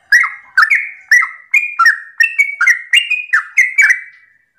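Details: Continuous morning song of a sooty-headed bulbul in 'ropel' style, used to make listening bulbuls reply: lively, fluty gurgles repeated roughly twice a second, each with a clicky onset, ending as a lingering note fades.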